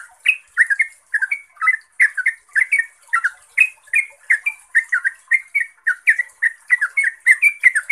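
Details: Trucuk, the yellow-vented bulbul (Pycnonotus goiavier), giving fast chattering song used to provoke other bulbuls to respond: a steady run of short liquid, warbled phrases, several each second, with brief gaps.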